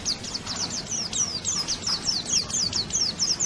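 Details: White-eye (pleci) song meant as masteran training audio for songbirds: a rapid run of thin, high, downslurred twittering notes, about three per second, over a faint steady background hiss.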